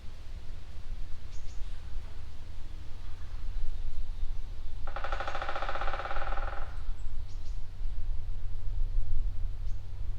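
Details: In a beech forest, a woodpecker drums one fast, even roll of about two seconds on a tree, recurring roughly every minute amid birdsong, over a steady low rumble with a few faint ticks.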